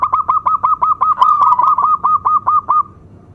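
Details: Strong-voiced local zebra dove in a lure song: about fifteen short hooked notes repeated evenly and fast for three seconds, with a brief rolled flourish in the middle, then silence.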